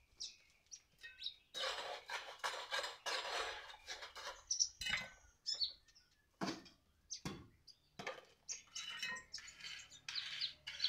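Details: Very vocal sunbird singing in rapid, high, metallic twitters and chips, bursts tumbling over one another with short pauses between; faint clinking in the background.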